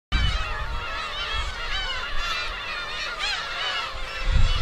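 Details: A dense chorus of Black-tailed gulls at their Kabushima breeding colony, Hachinohe, Aomori, on 2 June 2010, giving overlapping nasal, cat-like mewing cries over a steady low rumble of wind.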